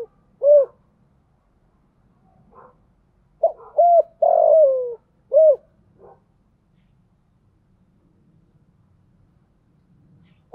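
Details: Decoy spotted dove calling to draw in wild doves: an isolated coo, then a full phrase of clipped and arched coos with a long falling coo, followed by quiet with faint low rustling.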